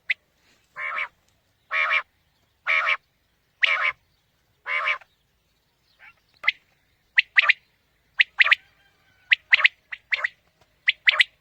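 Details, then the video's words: Quail calls for morning hunting: five drawn-out nasal, harmonic-rich calls about a second apart, then a quicker string of sharp, clipped triple-note phrases in a quiet setting. "Batair ki new Awazay| Quail Calling 2020 | Batair Ki Awaz suba ki shikar Ki liye|Saaf Batair Ki Awaz"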